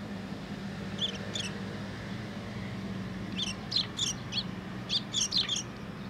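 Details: Sparrows coming to a post to be fed at a Tenmangu shrine, 27 August 2023; sparse thin chirps at first, then a quicker cluster of high notes near the end over low rumbling background.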